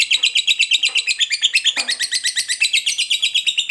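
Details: Ngekek chattering song of a fighter lovebird, played to start other lovebirds singing: fast, shrill, rasping notes in steady rhythm, with a brief low scrape near the middle.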